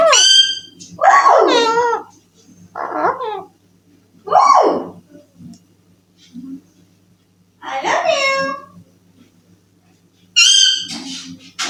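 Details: Ring-necked parakeet mimics speech ("I love you", "good morning") in a shrill, nasal voice, about five short phrases spaced a second or two apart, over a faint low hum.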